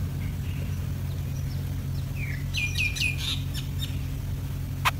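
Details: Yellow-vented bulbul chick during an ant attack: a cluster of short, bright, downward-slurred chirps in quick succession mid-clip, with a few scattered faint notes before and after, over a steady low hum.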